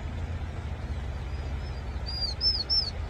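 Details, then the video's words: Three sharp, high, arching whistled notes from a vinous-throated parrotbill, closely spaced near the end, after a quiet stretch of low rumbling background. "뱁새울음소리 a bird's cry"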